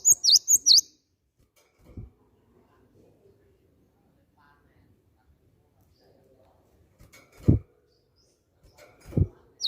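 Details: As a lure to set other birds singing, a Timor sparrow gives quick sharp high chirps at the start and end, with several dull thumps and knocks in the quiet middle.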